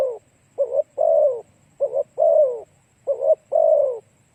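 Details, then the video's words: Spotted dove cooing to draw in other doves. A phrase of a quick double note and a long falling coo repeats three times, about every 1.3 seconds, over a faint low hum. "Cu gáy kích mồi tập bổi hiệu quả nhanh"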